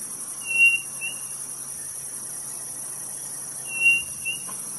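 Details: Two whistled phrases from a codorniz quail in northeastern Brazil, each a sustained pure whistle followed by a shorter note, about three seconds apart, with a steady high insect hum throughout.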